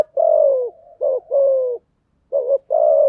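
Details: Spotted dove singing, a lure recording meant to get newly caught doves singing: a short series of deep, slightly hoarse coos, one long drawn note then paired notes, a brief pause, and two more coos.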